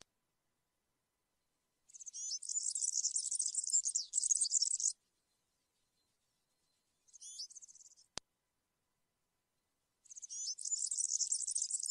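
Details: European serin in country-style song for training young birds: long rapid high-pitched jingling trills lasting about three seconds, a short burst between, then another long trill, one sharp click midway.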